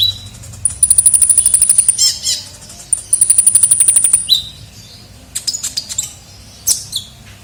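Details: A vocal kolibri ninja sunbird, recorded as a luring sound, gives very high, rapid buzzy trills lasting about a second each, separated by sharp chirps and brief pauses.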